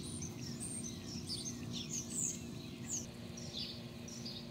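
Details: Several birds in a small flower garden on a fine day chirp in quick, high, irregular bursts over a steady low rumble of background noise.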